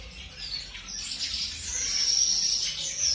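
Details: Zebra finches of mutation colours, just introduced to a new mate for pairing, give a dense run of high, thin chirps and short nasal notes, several every second and overlapping, with a faint hiss underneath.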